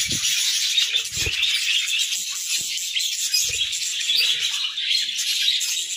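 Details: Pet budgerigars singing in the morning: dense, continuous warbling chatter of many high chirps, with a few low thumps in the background.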